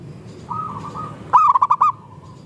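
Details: A zebra dove lure recording of local and Bangkok birds used to trigger singing. A soft, level, wavering coo gives way to one loud, rapid, pulsed phrase of bubbling notes.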